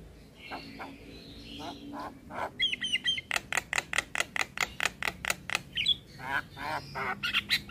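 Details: Black-winged starling song used as a training recording, with other starlings mixed in: a fast run of sharp repeated chirps about two per second, high squeaky whistles and harsh notes, over a faint low hum.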